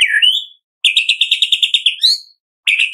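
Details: White-rumped shama singing a kretekan-style song, used as a lure to prompt other shamas to sing: clear whistled slurs, then a fast run of about ten repeated buzzy notes. A final burst starts after a short pause.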